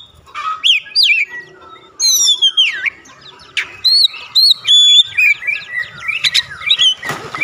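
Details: Oriental magpie-robin song used daily to trigger other birds into singing: varied loud whistles, sharp upslurred and downslurred notes and short chattering bursts in irregular phrases, with quieter background twitters.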